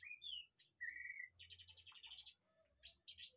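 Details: White-rumped shama in an aviary behind a house, singing a varied phrase: clear whistled notes sliding between pitches, then a fast buzzy rattling run, ending in short high rising whistles over a faint low hum.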